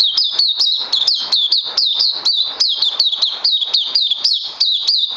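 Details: Oriental white-eye in a cage delivering crazy LG song, 31 May 2020: dense, continuous high twittering of crisp down-slurred notes, roughly four or five every second, with no breaks.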